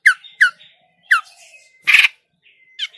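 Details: Grey-cheeked bulbul trapping lure, noisy: sharp downslurred squeaks and a thin steady whistle, with one harsh rasping burst in the middle.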